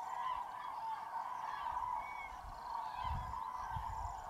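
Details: Common crane flock calling at a large roost before a foggy, frozen January dawn in Tablas de Daimiel National Park, Spain; a steady distant wash of bugling voices, with low thumping bursts near the end.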